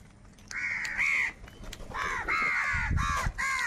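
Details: Crows in great numbers squabbling over food. After a quiet start, long nasal caws ring out in overlapping series, with a low rumble in the background.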